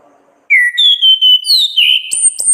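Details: Orange-headed thrush singing loudly in ngeplong ngriwik style for songbird training: sustained clear whistled notes climbing step by step, then a fast twittering ending with thin very high squeaks.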